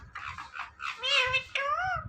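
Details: Indian ringneck parrot talking: rough, breathy syllables lead into two clear nasal mimicked words with rising and falling pitch, over quiet indoor background.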